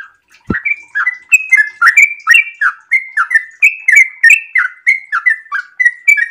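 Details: Yellow-vented bulbul in breeding condition pouring out a long run of bubbly, liquid notes, about three per second, each a quick slurred whistle, with one sharp click near the start.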